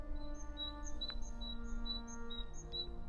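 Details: Great tit (Parus major) singing in an English woodland with wild garlic and coppice: a quick, repeated two-note phrase, a high thin note dropping to a lower one, about three times a second, over a steady low rumble.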